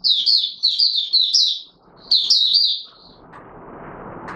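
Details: Oriental white-eye courting on 25 January 2022, giving two runs of sweet high slurred chirps, then fading into low rustling noise.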